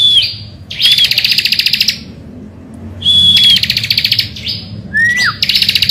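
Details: Lure song of a bar-winged prinia recorded in the morning: short whistles lead into long buzzy pulsed trills, then a quiet gap and more trills, closing with a sharply falling slurred whistle.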